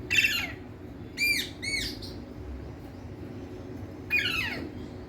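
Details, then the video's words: Indian talking parrot giving harsh squawks: an opening rasp, a pair of arched screechy notes a second later, then a final raspy squawk with a falling tail, with quiet gaps between them. "Indian Talking Parrots"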